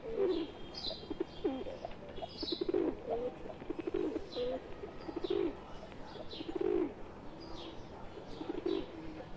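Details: Indian pigeons, wild birds with a pet one among them, producing repeated low gurgling coos in uneven bursts. Scattered high-pitched chirps from other birds sound behind them.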